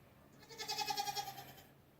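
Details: Sick domestic hen, backed up and unable to poop, making unusual sounds: a single quavering, nasal, bleat-like cry lasting about one second, with a rapid tremolo and rich harmonics, over a quiet background.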